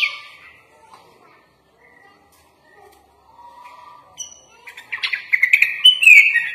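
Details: Kutilang, the sooty-headed bulbul, in a lively full-fill song: a quiet, sparse opening with faint low notes, building in the final two seconds into loud, quick chirped phrases.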